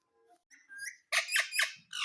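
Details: Pet ring-necked parakeet indoors: soft thin whistles and squeaks followed by three loud, harsh, buzzy squawks in quick succession, then another squawk starting.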